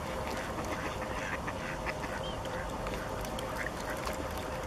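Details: Mallards on a lake give rough, broken quacking in quick bursts throughout, partly masked by a continuous low rumble of background noise.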